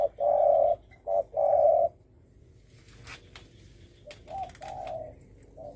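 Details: Spotted dove giving 'dong tho sam' style coos meant to provoke other doves: loud paired hoots, a short note then a long steady one, twice, followed by fainter coos amid clicking and rustling.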